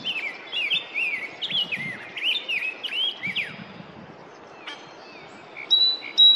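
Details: Rose-breasted Grosbeak singing in spring in Norfolk County, Massachusetts: a sweet, rich warbled phrase of quick rising and falling notes for about four seconds, then a few thin high whistles from another bird.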